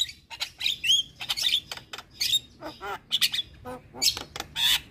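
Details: Javan myna singing nonstop: a jumbled run of grating squawks, clicks and short whistles, some lower rasping notes slurred downward, in irregular bursts with brief gaps.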